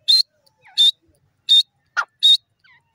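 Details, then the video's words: Grey francolin calling: loud, short, harsh high notes repeated about every 0.7 seconds, with one lower twisting note near the middle and faint soft notes between; otherwise quiet. "titar ki awaj gray teetar wonderful sound"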